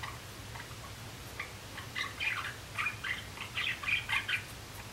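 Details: Java sparrows, three young males practising song in April 2016: quiet ticks that build into a sequence of clear bell-like notes and chattering clicks, about six emphatic notes near the end, with a low hum throughout.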